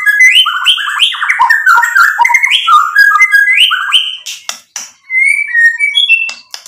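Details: White-rumped shama in continuous song, played as a lure so other birds answer. Loud, melodious whistled phrases rise and fall in quick succession, then a short break, followed by softer sliding whistles.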